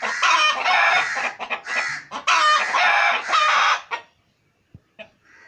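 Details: Domestic pet chickens clucking at home: a string of loud, coarse, stretched squawks broken by brief clucks, then near silence with a faint tap and a soft, distant cluck.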